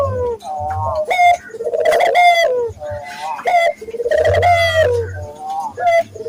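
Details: Actively cooing local Barbary dove, used to coax other doves into calling: a steady series of rich, throaty coos, each a brief rising note followed by a long trilled one, roughly every two seconds, with low rumble beneath.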